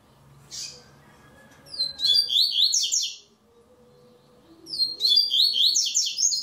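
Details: Double-collared seedeater competing in a web singing tournament, a brief note then two full strophes of rapid high whistled slurs, each about one and a half seconds, separated by a quiet gap; low background murmur.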